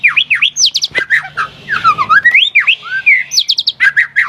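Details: White-rumped shama singing vigorously, used to make other birds respond: bouncing whistled upslurs and downslurs, bursts of high rapid notes and looping warbled phrases, with a faint low hum.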